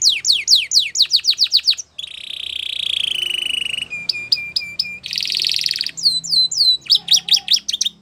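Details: Belgian canary in full song, alternating rapid descending whistled trills, a sustained buzzy rattle, clipped repeated chips and more sweeping notes.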